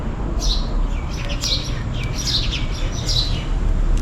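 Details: Sparrows at a millet feeder on a rainy day give short, bright chirps in quick bursts about once a second over a steady low rumble of rain.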